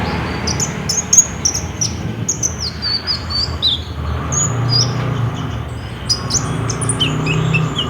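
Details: Olive-backed sunbird in vigorous song, played as a lure to get another bird to sing, recorded on a Samsung J5 phone: thin, high twittering notes and short sharp chips, with a steady low background rumble.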